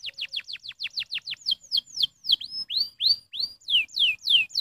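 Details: Canary stimulating song made of repeated down-slurred whistles, fast at first and then slower and fuller, some notes rising before falling.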